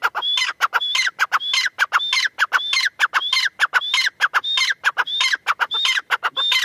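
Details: Female grey francolin, or teetar, giving a loud, rhythmic run of harsh clucking notes. Each phrase ends in a clear rising whistle, repeated about every half second without pause.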